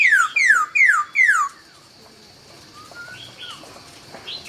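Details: Laughingthrush at dawn delivering four loud, evenly spaced whistles, each sliding steeply downward, followed by quiet, scattered soft notes.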